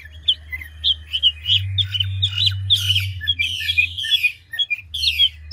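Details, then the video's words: A big mature Chinese hwamei, 'ngũ trường' style, delivers quick whistled phrases that turn into rasping buzzy notes, its song switching voices continuously over a steady low hum. "Họa mi ngũ trường đảo giọng tốc độ | garrulax canorus"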